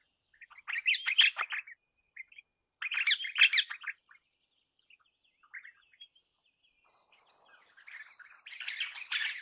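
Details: Crimson rosella chattering in two harsh, dense bursts of grating notes, then scattered soft notes, a thin buzzy whine and a noisy hissing squawk at the close.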